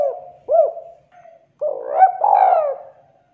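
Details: Spotted dove calling as a trapping lure: a rising coo note, a pause, then a rough, rolling run of coos that ends on a long, fading, falling note.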